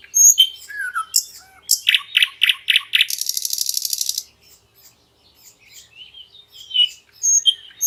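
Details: Common nightingale singing in a lush green forest beside a flowing river: scattered high whistles, then four loud repeated notes and a rapid, dense buzzing rattle for over a second, followed by softer twittering notes.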